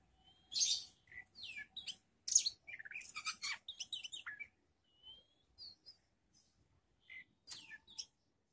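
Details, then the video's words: Young oriental magpie-robin being tested for nerve alongside other birds: loud bursts of sharp chirps, buzzy trills and short rising whistles in rapid uneven phrases, with brief pauses and a faint low hum beneath. "CARA UJI MENTAL KACER BAKALAN DENGAN BURUNG LAIN"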